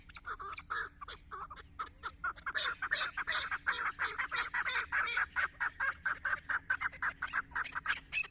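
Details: A decoy chukar partridge used for hunting calls loudly in front of a female, pouring out a dense, fast chattering series of harsh clucks that swells in the middle and keeps an even, rapid beat.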